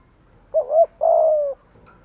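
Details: Spotted dove decoy calling to lure wild doves: one phrase, a wavering doubled note followed by a long, level, low coo that fades slightly at the end.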